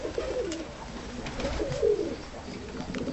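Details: Cooing of tumbler pigeons kept in a loft, birds that seem shy yet are easy to handle; two low, wavering coo phrases, the second stronger around 1.8 seconds, over soft background rustle and faint clicks.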